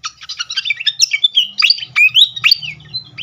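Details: Srikatan kipas (fantail flycatcher) lure song meant to trigger a reply: a fast, dense stream of high whistled and twittering notes with sweeping slurs, with a faint low hum beneath.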